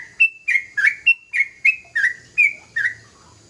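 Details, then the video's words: Young sooty-headed bulbul in full voice, delivering about nine loud, slurred whistled notes in quick, slightly uneven succession, each note sliding briefly downward, with a quiet background. "Suara burung trucukan muda gacor"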